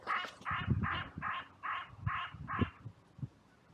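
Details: Crows at a cemetery on a sunny day raising a massive outcry after two crows fought, more crows rushing in; seven harsh, rasping caws in steady series, roughly two per second, over low rumbling background.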